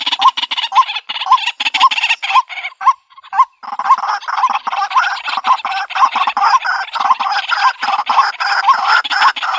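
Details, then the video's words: White-breasted waterhen calling, sound used for trapping birds in rural country: dense, rapid series of rough notes with hooked tonal peaks, briefly interrupted by a short pause, then resuming busier and harsher. "Bird Sounds White breasted Waterhen Bird ( Water Cock Soun)"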